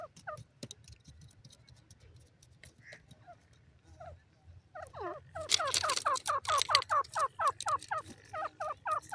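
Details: Grey francolin held in a cage: a few quiet, spaced notes at first, then an abrupt loud outburst of rapid rising double notes repeated over and over.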